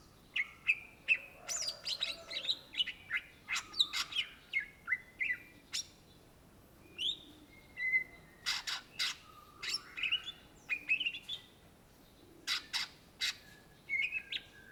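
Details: Greater green leafbird (cucak ijo), an Indonesian native bird, in a long, vigorous gacor song: a dense, varied stream of sharp clicks, chirps and slurred whistles, some rising and some falling, delivered in quick bursts with brief pauses.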